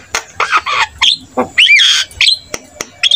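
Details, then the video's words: Javan myna in active song: scratchy rasping bursts, then a clear looping whistle and a rising squeak, ending in sharp clicks. "PUTAR SESAAT..‼️ SEMUA JALAK PASTI IKUT NYAUT"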